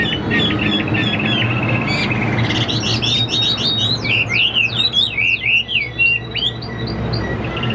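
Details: Caged Chinese hwamei singing: a varied run of warbled phrases that builds into quick, looping downslurred whistles, with a constant low background noise.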